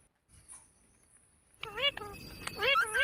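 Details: Green parrot, USA: after a second and a half of near silence, a run of bent, harmonic chirps and squawks begins, repeating quickly and growing louder toward the end.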